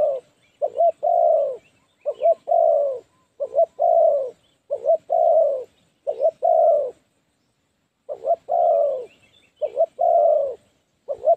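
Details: Spotted dove serving as a lure for trapping wild doves, cooing in a rhythmic series of short-then-long mellow phrases, about eight in a row with one pause. The setting is otherwise quiet.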